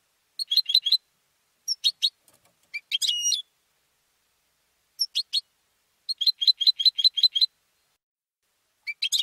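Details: Competition goldfinch raised at home, singing varied phrases: quick chip clusters, a buzzy twittering burst with a whistle, and a fast run of about eight repeated liquid notes near the end.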